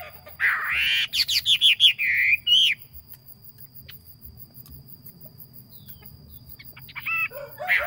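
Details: Yellow phua decoy bird singing well: a quick run of bright, stuttering whistles that climbs and then slides down, followed by a long quiet stretch and a final brief whistled phrase.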